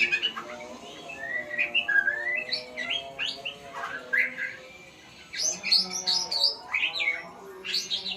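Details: White-rumped shama learning sounds, delivering a varied stream of whistled and chirping phrases that rise and fall quickly, with a brief quieter pause midway before a louder run of high, sharp notes.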